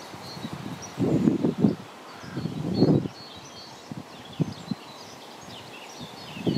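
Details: An Egyptian goose gives harsh, hoarse honking bursts in two bouts, then scattered single grunts; faint thin chirps of small birds sound in the background.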